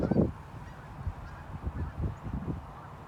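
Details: A loud, nasal Canada goose honk opens, then softer, lower honks from a gathered flock (gaggle) follow at uneven intervals over a low background rumble.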